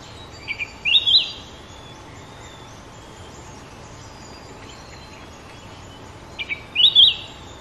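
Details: Sooty-headed bulbul singing: two short, bright phrases of quick whistled, bubbling notes, one near the start and one near the end, separated by several seconds of steady background hiss.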